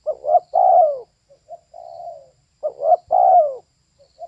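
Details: Female spotted dove cooing twice, each time a stuttered rising pair of notes into a longer falling coo, with a quieter flat coo between the phrases. The recording is quiet and clear.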